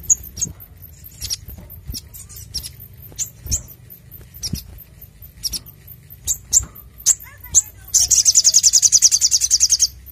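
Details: Brown-throated sunbird in full lively song, recorded clearly for luring and training other birds: scattered sharp high chips and ticks, then a fast, even rattling trill of rapid high notes closing the passage.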